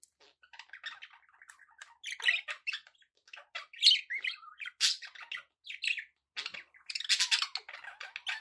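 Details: Pet budgerigars chatter continuously, a busy stream of scratchy warbles, squeaks and short chirps with quick bursts rising and falling, the lively twittering growing louder toward the end.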